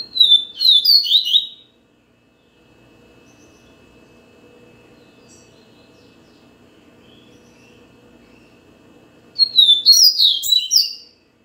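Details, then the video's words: Double-collared seedeater (coleiro baiano), a captive-bred Brazilian songbird, singing two bursts of rapid, sweet twittering phrases with sliding whistles and buzzy notes, separated by a quiet pause with a faint low hum. "COLEIRO BAIANO"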